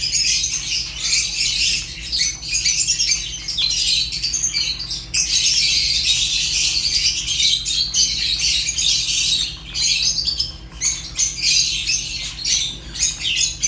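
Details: African lovebirds of the Fischer's kind keep up a nearly unbroken stream of sharp, high-pitched chattering chirps, briefly easing off around the middle and near the end.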